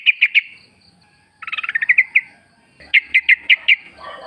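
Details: Sooty-headed bulbul from a wild forest recording, played as a lure to make other birds sing. Three clear chirps, then a rapid descending trill of notes, then five evenly spaced bright whistled notes.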